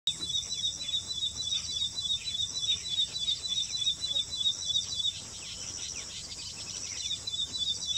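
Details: Ashy prinia in Assam singing a fast, even series of high, sharp notes, about three or four a second. This song differs from that of southern birds. A steady insect hum fills the background.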